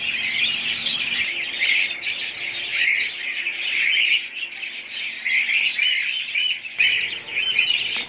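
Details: Budgerigars in a busy group chorus of thin chirps, warbles and short squeaks, rising and falling in loudness throughout.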